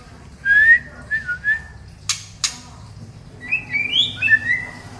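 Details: Female murai batu, the white-rumped shama of Medan, Indonesia: a loud slurred whistle, then softer short notes, two sharp clicks, and a rising run of bright whistled notes.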